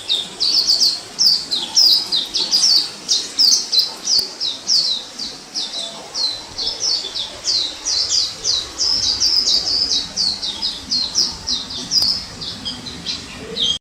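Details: Orange-headed thrush singing in the wild, 2018: a long, lively run of high-pitched, quickly repeated down-slurred notes and twitters, steady in pace throughout, over low background noise.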